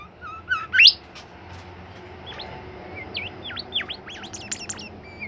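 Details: Caged bimoli bird in lively song: low whistled notes leading into a loud rising sweep, then a rapid string of high looping V-shaped chirps against a steady background hiss.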